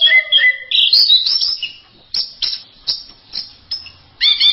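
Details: Anis merah, the orange-headed thrush, in varied masteran song: a falling whistled phrase, then a loud warbled burst, followed by short sharp chips spaced about half a second apart, and a final rich trill.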